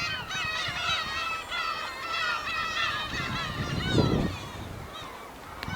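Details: A dense chorus of over 100 Black-tailed gulls (Larus crassirostris) at a port in Hokkaido, Japan, August 2010, gives overlapping mewing, nasal cries several times a second, with low harbour rumble beneath.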